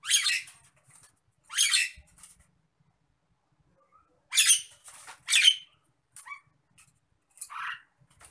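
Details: Agitated Nias hill myna alternating grating squawks with brief rising whistles and a lower warbled note, spaced irregularly over several seconds.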